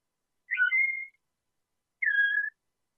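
A canary gives two pure, flute-like whistled notes, each about half a second long and held level after a brief flourish, separated by a short pause.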